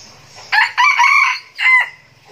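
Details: Young decoy red junglefowl, gà mồi tơ, from a breeder in Bình Phước, Vietnam, crowing loudly: a harsh, harmonic crow in three bursts, a brief opening note, a longer drawn-out middle phrase, then a short final note, over a quiet background.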